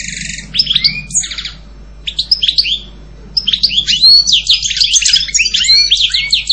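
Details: European goldfinch: a few clear whistled notes and a brief buzzy phrase, a short pause, then a dense, excited run of tinkling twitters and trills.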